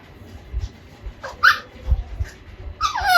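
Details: A two-and-a-half-month-old pet Alexandrine parakeet learning to talk gives two short, harsh, squeaky phrases, the last sliding downward, over a low background rumble.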